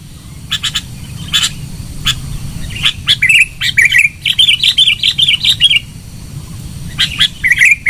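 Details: Sooty-headed bulbul giving a loud lure sound: quick bubbly chirps grow into a rapid run of bright warbled notes, several per second, then pause and resume over faint low background rumble.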